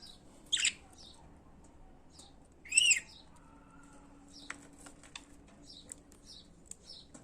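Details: Pet budgerigars calling: two loud, scratchy high chirps a couple of seconds apart, with soft twittering and sharp clicking ticks scattered through the rest.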